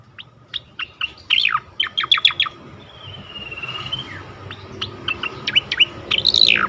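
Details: Melodious striated grassbird song, recorded as a lure and tutor for other songbirds: a brisk series of sharp high chirps and falling slurred whistles, with a long thin whistle midway, over steady background hum.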